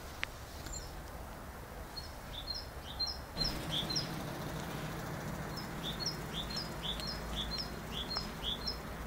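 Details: Great tit singing two strophes of repeated high, whistled two-note phrases, each strophe of about five to six repeats with a pause between, over a steady low rumble.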